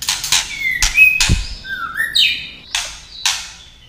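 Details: Female white-rumped shama singing to excite males: clear whistled notes, one held and slightly rising, mixed with sharp broadband clicking tack notes in quick bursts.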